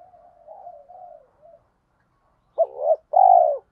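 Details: Spotted dove coos used as a lure to provoke wild birds into cooing, in the thổ pha thúc style: soft wavering murmur first, then one strong phrase of a clipped rising note and a drawn-out descending croo.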